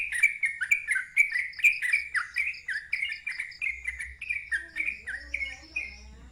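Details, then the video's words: A sooty-headed bulbul delivers a loud ngeropel run: steady strings of bright whistled notes, each dropping sharply, about two per second, fading at the end as a lower droning tone and low hum remain. "KICAU TRUCUKAN NGEROPEL KERAS SUARA NGALAS"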